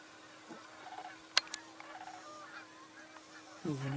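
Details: A distant flock of Canada geese in a field at Cibola National Wildlife Refuge, Arizona, in winter gives soft, nasal honks, with sharp clicks and a man's voice at the end.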